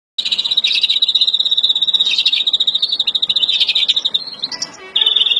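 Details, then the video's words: Agitated European greenfinch of the Verdune mutation giving breeding song, April 2016: a long, fast, even trill of high notes holding one pitch, a few rising flourishes near the end, then a short steady trill. "Kızgın flurya kuşu üretim ötüşü"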